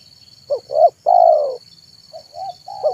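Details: Afternoon manggung song of a spotted dove, a decoy bird for trained and wild doves: a short double coo, then a long rolling coo, then softer coos, over a constant high-pitched electronic tone.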